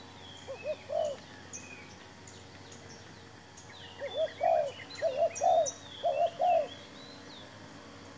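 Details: Spotted dove serving as a trapping decoy, newly brought along with a new trap, gives soft cooing phrases in short groups of two or three arched notes, amid scattered high chirps of other birds.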